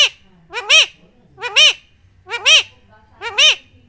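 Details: Pet Indian ringneck parakeet speaking, four loud harmonic-rich utterances about one second apart, each a rising then falling chirpy syllable pair, with faint low hum behind.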